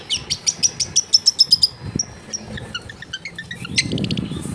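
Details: Long-tailed shrike singing near a house in a densely populated area, played to coax a quiet shrike into song: a rapid run of about ten bright, evenly spaced high whistles, then scattered chirps and twitters, ending amid low household noise.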